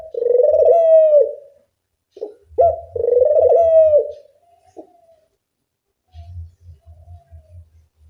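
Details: Dove call used as a lure to train doves: two long, rippling coos with short sharp notes around them, then faint thin tones and low soft thumps.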